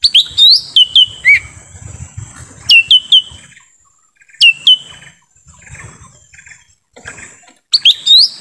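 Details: Lesser green leafbird lure call recorded in forest, used to attract wild birds: loud, clear whistled notes with sharp upswept hooks, given singly and in quick pairs and triplets, separated by short pauses with faint rustling between.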